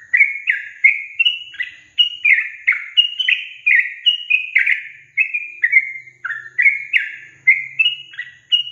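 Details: Yellow-vented bulbul singing steadily, used to coax young caged birds that rarely sing: a long run of rich, gurgling whistles, each note sliding downward, delivered at a rapid, uneven pace without pause.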